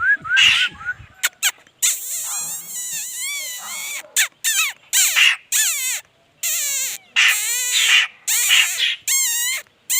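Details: Laughingthrush in rich, energetic song: long, loud runs of strongly swooping, rolling notes with bright overtones, in phrases of one to two seconds separated by brief gaps.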